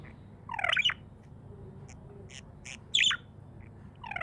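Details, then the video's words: Pet budgerigar, described as happy, giving a few short chirps: two bright rising-falling notes with a pause between, plus clicks and a soft low hum underneath. "Happy budgie chirping sounds"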